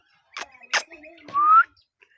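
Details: Indian ringneck parrot giving sharp clicks, then a clear whistled note sliding upward for about a third of a second, with faint lower tonal sounds between, in a quiet indoor setting.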